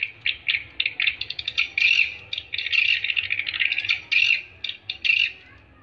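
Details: Swiftlets calling in a lure sound made to attract them: clusters of high twittering clicks build into buzzy, rattling chirrs. The rhythm is irregular, with brief pauses and a faint low hum underneath.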